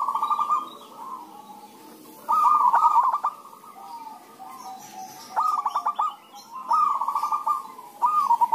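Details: Several zebra doves calling back and forth, a lure to draw other doves into singing. Five bursts of rapid, staccato, trilled cooing stand out clearly; softer cooing from further birds continues between them.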